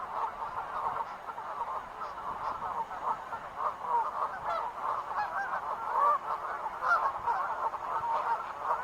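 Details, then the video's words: A flock of wild geese honking continuously, dense overlapping nasal calls, roughly one prominent honk a second, forming an unbroken clamour. "sounds of wild geese"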